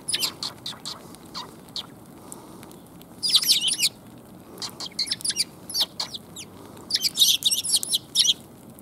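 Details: Sparrows arriving to get food, 5 December 2021: sharp high chirps and twittering bursts from several birds, some bursts dense and overlapping, against a constant low background noise.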